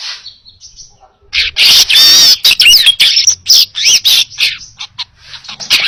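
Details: Baya weaver in full song, a recording meant for tutoring other birds: a few faint high ticks, then a loud run of harsh, wheezy, buzzy bursts rapidly repeated for about four seconds, fading into softer chips.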